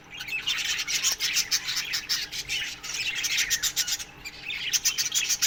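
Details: Aviary budgerigars at morning giving rapid, rasping chirps in pulsing bursts, with a steady low electrical hum beneath the flock chatter.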